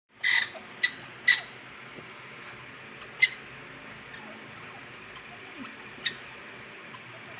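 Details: A francolin (teetar) in a breeding setting gives two loud, harsh, squawky notes about a second apart, followed by sharp scattered clicks over a steady background hiss.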